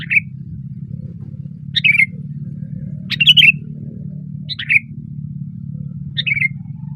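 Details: Loud (gacor) singing by a sooty-headed bulbul on a branch: five short warbled phrases at irregular intervals of one to one and a half seconds, each sliding down, above a low continuous drone.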